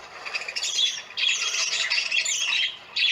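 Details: Short burst of parakeets calling for attention, harsh overlapping squawks in two loud waves separated by a brief dip.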